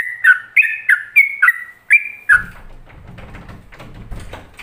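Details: Yellow-vented bulbul performing ropelan-style master song for training other bulbuls: a quick series of clear whistled, slurred notes for two seconds, followed by a low rumbling, crackling background noise.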